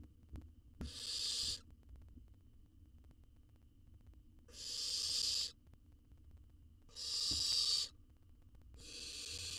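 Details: Wild owl chick in a camera-fitted nest box in Israel, devouring a jird, makes repeated breathy screeching hisses roughly every two to three seconds, four bursts, over a low hum.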